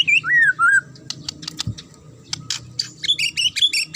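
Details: Magpie-robin in sharp provoking song: descending whistled slurs open the phrase, followed by scattered clicks and then a burst of high, ringing repeated notes.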